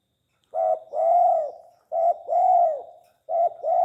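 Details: Tame spotted dove cooing: low, soft, hollow phrases, each a short note followed by a longer drawn-out slurred coo. The phrase repeats about every one and a half seconds, three times, over a quiet background.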